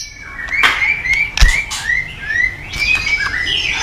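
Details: White-rumped shama singing in the morning, a lure for training cage birds: a run of short, clear upslurred whistles repeated about every half second over a soft background hiss.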